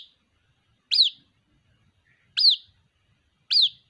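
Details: White-breasted waterhen chick calling for its mother: three high, sharply falling peeps with uneven gaps of one to one and a half seconds, otherwise quiet.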